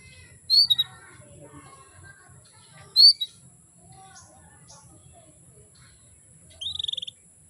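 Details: Calling female canary, meant to stir males into song: two bright high chirps about two and a half seconds apart, then a short rapid buzzing trill near the end, with faint low background noise.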